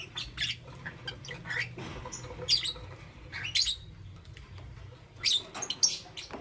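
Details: Green, yellow and lutino lovebirds in the morning: scattered harsh, high chirps and squawks in short bursts with pauses, over a faint low hum.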